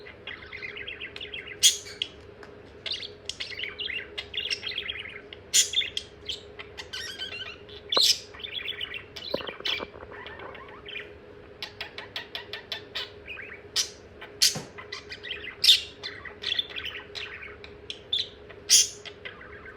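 A budgerigar chatters continuously with rapid, scratchy warbles, clicks and sharp high chirps.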